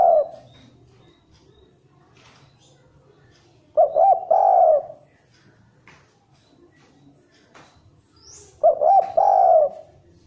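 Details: Zebra dove kept indoors, its song used as bait to stimulate other birds, giving fast rolling cooing phrases of quick warbled notes ending in a longer trill, repeated about every four to five seconds in a quiet room.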